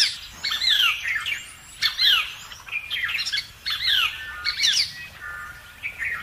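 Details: Plaintive cuckoo chick pushing its two foster siblings out of the nest; harsh squawking calls with quick falling sweeps, repeated in bursts about every second, with faint chirps of other birds behind.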